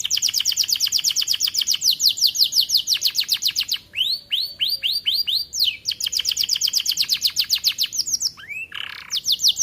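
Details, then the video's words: In an aviary, a young canary sings varied trills: fast repeated chirps, slower looping upslurred notes, a harsh lower burst and more rapid sweeps. "Kenari muda mulai gacor"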